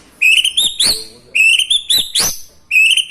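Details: White-rumped shama song with lovebird, kapas tembak and cucak jenggot mimicry: three similar phrases, each a clear rising whistle followed by sharp clicking snaps.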